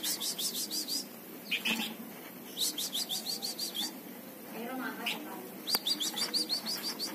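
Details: Tame plain prinia giving the chattering song often used as a tutor for other birds: quick bursts of high, thin, clicking notes, about seven to eight per second, in runs of roughly a second; a person speaks briefly in between.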